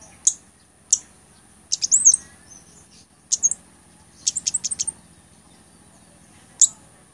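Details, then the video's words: Blood-breasted flowerpecker song for training songbirds and attracting wild birds: single piercing high ticks alternate with fast bursts of four to six twittering notes, ending on a lone tick, over a faint continuous high tone. "CABE GUNUNG, COCOK UNTUK MASTERAN, PIKAT DAN PANCINGAN BUNYI"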